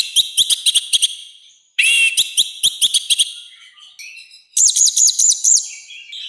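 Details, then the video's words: Orange-headed thrush with a loud, rough song used to train and provoke other birds: rapid clipped whistled notes in fast bursts, a harsh rasping phrase, then a high rolling trill of repeated notes. "ANIS MERAH GACOR NGEPLONG, SUARA KASAR KERAS ++ COCOK UNTUK MASTERAN DAN PANCINGAN BURUNG KITA"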